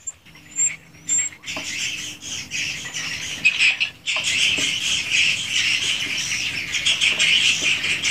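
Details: Swiftlets in their swiftlet house, original recording: sparse clicks and a few high thin whistles, then from midway a sudden, steady wall of rasping, high twittering chatter from many birds.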